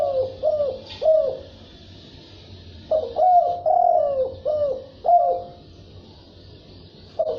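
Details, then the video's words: Cu gáy, or spotted dove, coos in the thúc bổi and gáy gù styles. Short bursts of hollow, downslurred notes are separated by quiet pauses, with a brief coo at the end. A light high-pitched background hiss is present. "Tiếng chim cu gáy đồng thúc bổi gáy gù"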